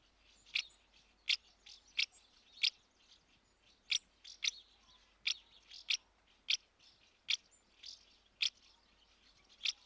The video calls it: House Martin Bird Sound Effect